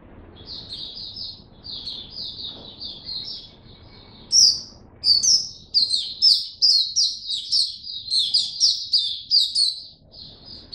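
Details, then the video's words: Caged white-eye singing in a song display booster test; soft high twitters give way after four seconds to a loud, fast, sustained run of chattering notes with sharp upward accents. "Mata Puteh Buka Sing"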